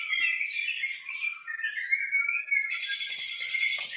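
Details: White-rumped shama of the Medan type, described as original: a continuous rich warbling of whistled, slurred notes shifting between lower and higher pitches, ending in a sustained higher whistle, recorded in a quiet setting.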